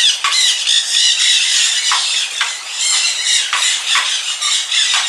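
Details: White-naped crane at a wildlife sanctuary in Hout Bay, Cape Town, on 19 November 2015. Harsh, loud squawking calls come in quick succession, several each second, with bright high overtones that continue throughout.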